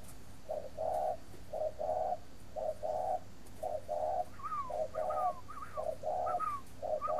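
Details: A captive breeding spotted dove in Ba Vì district, Hanoi, Vietnam, coos steadily. The low phrase is a short note, a short note and then a drawn-out note, repeated about once a second. Faint falling whistled notes come in later.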